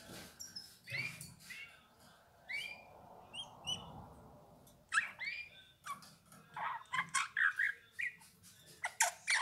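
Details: Eurasian bullfinch singing a few soft, widely spaced whistled notes and paired short chirps, then a faster, busier stretch of scratchy and piping notes.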